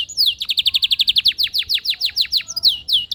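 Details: Canary singing a fast, even trill of downward-sliding whistled notes, roughly six per second, ending with a couple of longer swooping whistles; a faint low background hum.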